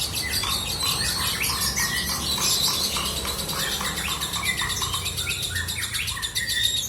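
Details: Lovebird singing in the long ngekek style: a dense, unbroken stream of rapid, shrill chattering and squeaky notes, broken by higher whistled squeals, over a low steady rumble.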